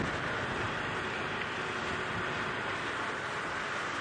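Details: A constant engine rumble and road noise from a sunrise safari drive vehicle, recorded at 6:38 AM on January 18, 2017, carry no animal sounds.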